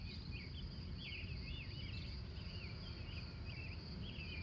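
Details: Wild morning birds in Glendive, Montana, USA, recorded from 3:45 a.m.: a clear run of slurred, looping whistled notes in short bursts, over a continuous insect drone and a deep rumbling background.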